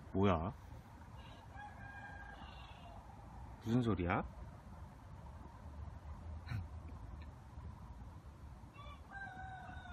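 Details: A chicken, a rooster crowing after midnight before dawn, gives short, loud, harmonic crows twice, a few seconds apart, over quiet talking.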